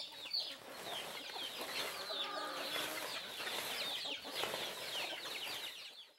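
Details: A flock of Brazilian free-range (caipira) domestic hens on a countryside farm clucks and chatters continuously, with dense overlapping calls and some wing flapping in the background.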